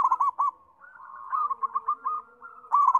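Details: Zebra dove sings in lively bursts. Short rapid cooing notes roll into a stuttering trill, then the bird pauses and begins another quick rippling phrase.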